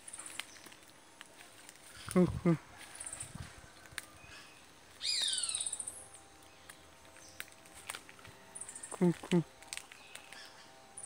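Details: A Lesson's motmot in Chiriquí, Panama, on 29 May 2020 gives two low, hollow double hoots about seven seconds apart. A brief high, falling chatter from another bird and a soft insect hum fill the gap.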